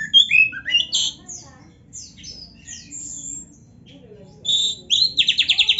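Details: Oriental magpie-robin tutor song for training, played daily to build fighting mentality: opening burst of varied whistles and chirps, a near-quiet middle with faint sounds, then a rapid, evenly repeated trill of sharp notes at the close.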